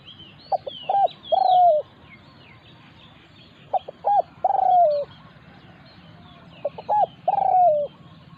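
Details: Spotted dove calling during a territorial encounter between a decoy and a wild local bird: three phrases a couple of seconds apart, each two quick hiccup notes and a long sliding coo. Background chirps come from other birds.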